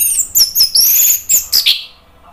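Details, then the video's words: Orange-headed thrush singing loudly and freely, kept as a songbird in Indonesia: a quick run of high, clear whistled phrases sliding down, then several sharp bright notes before fading to quiet. "ANIS MERAH NGEPLONG GACOR"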